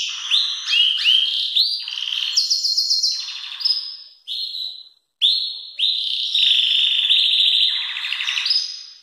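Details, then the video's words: Belgian canary song, very loud, for training young birds: clipped whistled notes and rolling buzzy trills, a brief silent break near the middle, then long piping tones and a rattling buzz. "Canário belga cantando muito forte"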